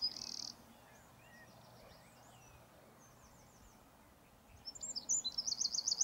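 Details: Eurasian wren with a brief sharp note, faint high notes in the middle, then a loud fast shrill trill near the end.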